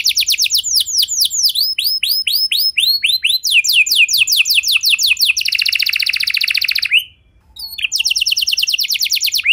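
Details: Canary song played to get other canaries singing, with varied phrases: falling whistled sweeps, then quick descending notes, a dense buzzy trill, a brief gap and another rapid rolling trill, all high and loud.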